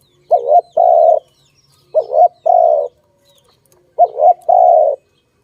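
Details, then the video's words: Dove calling: three paired phrases, each a short wavering coo followed by a longer, steady, mellow coo, repeated about every two seconds against a quiet background. "Sound of good dove for letting altogether"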